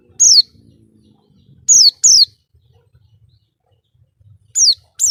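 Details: Oriental white-eye, a masteran recording for training cage birds: thin, high, downslurred chirps, singly and in a close pair, separated by pauses of one to two seconds, over faint low background rumble.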